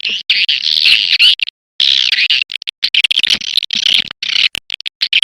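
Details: Edible-nest swiftlet call used by swiftlet farmers to lure birds: bursts of dense, buzzy high chattering broken by brief silences and sharp clicks.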